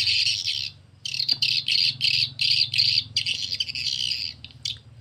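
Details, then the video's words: A swiftlet colony lure recording for swiftlet farming gives dense, high, buzzy chattering in rapid bursts of about a third of a second, with a steady low electrical hum underneath. "SUARA WALET"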